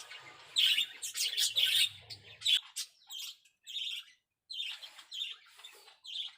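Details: Zebra finches in a small aviary, carrying nest material: quick bursts of sharp, harsh chirps and squeaky notes, some clustered rapidly, others spaced about half a second apart.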